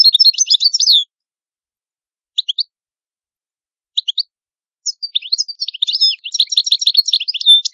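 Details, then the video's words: European goldfinch, said to be an excellent Italian singer: a rapid high twitter, a pause with a few paired chirps, then a long bright tumbling run of tinkling, buzzy trills. "Canto Ottimo Bello del Italiano Cardellino"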